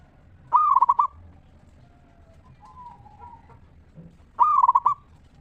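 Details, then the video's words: Zebra dove, a local bird, in full ringing 'ngeristal' song meant to lure other zebra doves into singing; two bright, quickly pulsed cooing bursts about four seconds apart, separated by faint, low, drawn-out coos. "Perkutut Lokal Gacor RAJA PIKAT Suara Ngeristal Paling Ampuh Bikin Semua Perkutut Nyaut Gacor"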